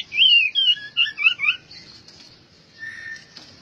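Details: Albino white-rumped shama giving a short bout of loud warbled, looping whistles in the first second and a half, then fading to a soft low whistle.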